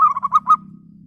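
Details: Local zebra dove lure bird calling rivals: the tail of a cooing phrase, several rounded rolling notes at an even pitch, cut off at the start, over a constant low droning hum.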